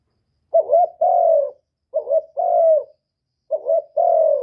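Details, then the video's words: Spotted dove from Cà Mau, Vietnam, cooing to stimulate rival birds; three phrases, each a quick pair of short coos then a longer, slightly falling coo, repeated roughly every 1.5 seconds, with no background noise. "Tiếng chim cu gáy kích bổi giọng hạp bổi"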